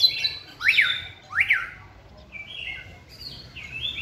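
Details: White-rumped shama during song training: two loud sweeping whistles that rise and fall sharply, followed by quieter, smooth gliding whistles, against light low hum.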